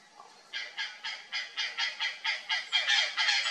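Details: Purplish jay startled by something strange in a bush, giving a fast series of harsh, raspy calls about every quarter second, growing louder through the run.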